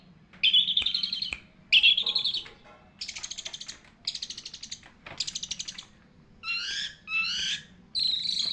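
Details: Long-tailed shrike giving a tutor song for training birds: separate harsh, buzzy, high bursts about half a second long, some with rapid ticking texture, others brief rising-falling notes, spaced by short pauses.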